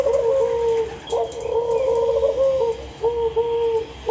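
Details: Dove on a farm cooing: low, soft, hollow coo notes in short steady series, each phrase of several even notes, repeated with brief pauses.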